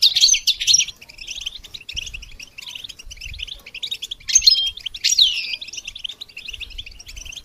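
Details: Goldfinch song used to train songbirds: loud bursts of high chattering twitters alternating with softer continuous chirping, with a few clear downward-sliding whistles.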